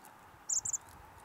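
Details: On Douglas Island, Juneau, Alaska, in March 2020, a chestnut-backed chickadee gives a short, very high buzzy chip followed by two quicker thin notes, all within a third of a second, against quiet background hiss.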